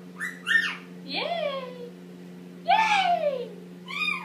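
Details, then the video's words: Young Indian ringneck parakeet, eight months old, male, making noises in the shower while practising to talk: rising and falling whistled, speech-like squawks in four bursts, with a steady low hum of running water or fan underneath. "Indian Ringneck talking up a storm!"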